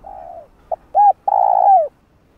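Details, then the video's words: Decoy spotted dove cooing to attract wild doves: a soft fading coo, a brief pip, a bright arched note, then a long sustained coo that bends downward at its end. "Tiếng cu gáy gọi thúc gù kích mồi tập bổi, kích bổi ức chế gáy nhanh"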